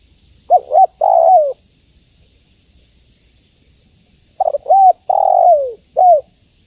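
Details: Calling female spotted dove summoning a male. Two bursts of soft, hollow cooing: a double note and a long sliding coo, then after a gap a similar phrase of three coos ending on a falling tone. The setting is quiet.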